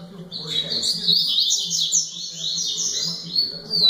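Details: A rusty-collared seedeater sings a rapid, unbroken stream of high, varied twitters and trills, with a faint low hum underneath.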